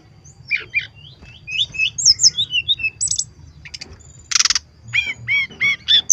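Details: Brown-chested jungle flycatcher singing as a lure: quick twittering notes, a loud buzzy burst, then a series of ringing arched chirps repeated at a steady pace.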